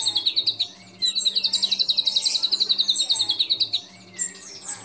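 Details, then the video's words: White-rumped shama singing a song mixed with imitations of other birds: bright, fast repeated trilled notes in a high register, separated by brief quiet gaps, with scattered thin whistles over them. "Murai Batu Gacor Isian Kapas Tembak Sambung Cililin Lovebird Kenari Dll"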